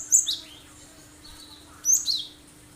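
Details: Cinereous tit (gelatik batu) giving full, sharp 'tembakan' song as bait to get other birds singing: two short bursts of shrill, high whistles with slurred falling notes, separated by over a second of quiet hum.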